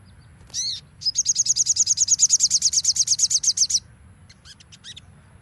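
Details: Crimson sunbird training song: an opening buzzy note, then a long fast trill of over twenty high ringing notes at a steady pace, ending with a few scattered thin chirps; low rumble beneath.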